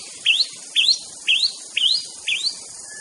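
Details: Aceh white-rumped shama master song segment: five sharp upswept chirps evenly spaced about every half second, against steady background hiss.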